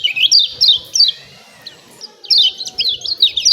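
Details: Lemon-bellied white-eye calls meant to provoke birds to sing: high, sharply falling chirps in short bursts, about three a second, separated by a quiet gap near the middle.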